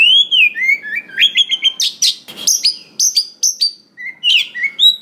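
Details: Oriental magpie-robin, wild-caught, delivering its rich varied song used to trigger singing in other magpie-robins: a slurred whistle, then rapid stepped chirps and sharp high notes, with one short rustle midway.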